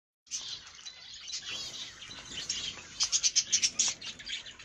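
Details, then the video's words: Colour budgerigars kept in an aviary, several birds chattering together: dense high warbling and chirping throughout, building toward the end into a run of sharp, rapid chirps at about four per second. "ondulati di colore in voliera"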